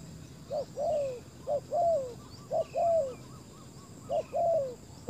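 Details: Spotted dove calling as a decoy for wild doves: short note followed by a longer coo that slides downward, the pair repeated about once a second; faint chirps of other birds above.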